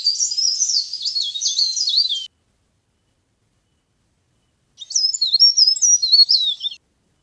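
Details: Leaf warbler lure recording for trapping: two bursts of shrill, rapid twittering, each about two seconds long, with jerky pitch swings, separated by a gap of roughly 2.5 seconds of silence.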